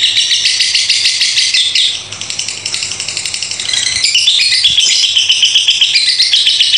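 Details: Lovebird's drawn-out 'ngekek' song: shrill rattling chatter that fades briefly, then returns louder, with rapid metallic pulses and wavering pitch throughout.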